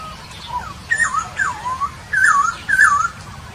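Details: Papuan poksay singing in Nabire, Papua, on 26 December 2021: a fluid sequence of wavering whistled phrases, each looping down and back up, about five phrases over three and a half seconds.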